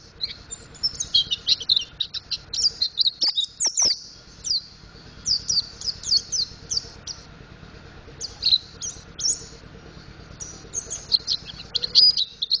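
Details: Mountain white-eye (Zosterops montanus), practice song: young bird learning to sing.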